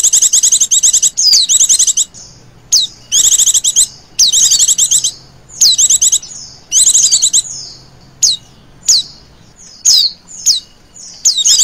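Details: A female Oriental white-eye gives the 'ngecir' lure call: repeated bursts of rapid, buzzy, very high trills, each about a second, interspersed with quick falling whistle notes, the bursts coming every second or two over nearly twelve seconds.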